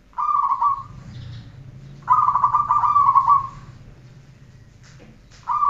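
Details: Zebra dove song used as a training recording: two long rolling cooing trills, the second stretching nearly two seconds, with a faint low hum beneath and a brief soft chirp near the end.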